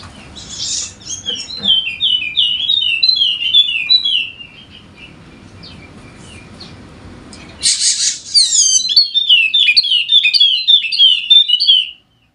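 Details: Wallacean white-eye, golden-headed form endemic to Sumbawa, West Nusa Tenggara, a recording used to prompt lazy birds into singing: two bursts of rapid high twittering phrases, sweet slurred notes tumbling at a fast pace with a quiet gap between.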